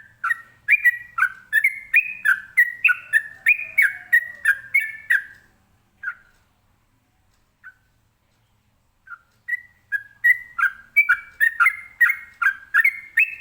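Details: Ropelan-style song of a sooty-headed bulbul, sung to draw answers from other birds: a long chain of loud, fluty whistled notes about three per second, breaking into scattered single notes before another fast continuous run.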